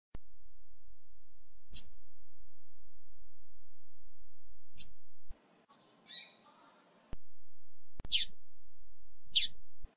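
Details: Female rusty-collared seedeater giving notes meant to excite a male: five short, high chips at irregular intervals, the third buzzier and drawn out, the last two sharper and louder, over a soft background hiss.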